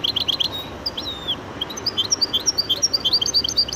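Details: Goldfinch × canary hybrid delivering quick high twitters, a drawn-out descending whistle, then a lively run of bright chirped notes.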